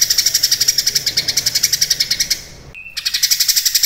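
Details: Cucak kinoi in lively song, meant as tutor material for contest birds: rapid harsh pulsed notes, then a short gap holding a pure whistled note, then the fast buzzy series again.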